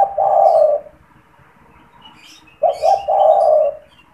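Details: Spotted dove calling from its cage, used as a lure for wild doves: a long low coo, pause, then two clipped coos and a sustained mellow note, with scattered chirps of small birds overhead.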